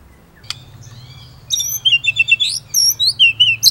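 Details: A white-rumped shama in lively song from a murai training recording: after a quiet start with one sharp click, a jumble of thin high whistles and quick slurred notes at varied pitches.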